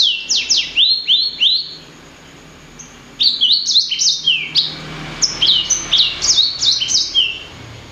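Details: Blacksang, a hybrid of blackthroat and sanger, singing in a chatty 'gacor' style: fast series of high, sharply downslurred whistles in two bursts separated by a short pause.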